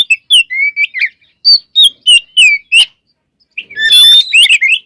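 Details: White-rumped shama song used to provoke other shamas into singing: rapid varied phrases of clear whistles and slurred notes, a short pause, then a dense burst of rich warbling and buzzy trills.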